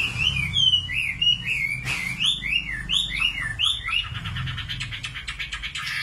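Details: Singing common nightingale: a string of arched, slurred high notes repeated about once a second, ending in a fast, even trill of rapid clicks, with a low hum behind.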